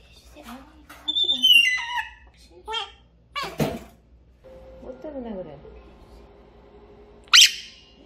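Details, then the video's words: A pet grey parrot screaming loudly indoors in the afternoon after playing all morning gives a sudden, piercing screech after whistled, speech-like chatter and sliding falling notes; a companion Quaker parrot tells it no, and a person talks nearby. "소리지르는 회색앵무"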